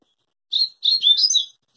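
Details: Rusty-collared seedeater, known locally as coleiro or papa-capim, giving a brief burst of high twittering song: a short chirp followed by a rapid run of varied warbled notes, clear with no other sounds.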